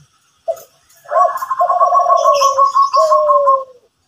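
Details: Zebra dove from Kelantan in lively morning song: a brief coo, then low rolling coos layered under a higher, evenly pulsed trilling line, ending in a falling drawn-out note.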